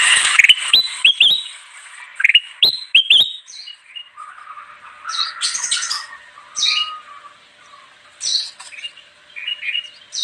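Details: Bulbul known locally as kutilang emas in full, energetic song used to attract wild birds, pouring out rapid chirps and sliding whistles, then looser squeaky phrases and buzzy notes.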